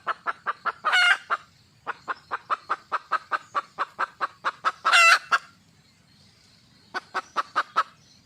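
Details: Hen red junglefowl calling for a mate with sustained rhythmic clucking, two loud harsh squawks breaking the series, a pause, then a final short run of clucks.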